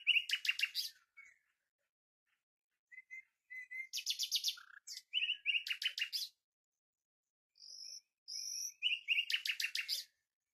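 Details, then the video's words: Common nightingale song of varied phrases: fast, harsh repeated trills alternate with sharp clicks, lower notes and high, level whistled tones, each phrase followed by a short silence. "بلبل هزار دستان آواز"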